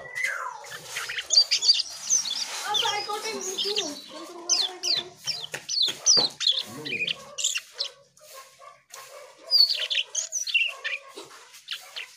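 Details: Asian pied starling in rich, continuous song: a rapid jumble of chattering, squeaky and harsh notes with high whistled accents and scarcely a pause over twelve seconds.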